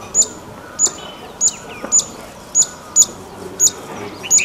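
A streaked laughingthrush gives short, sharp, very high chips about every half second, eight in a row, with a faint hiss of background noise.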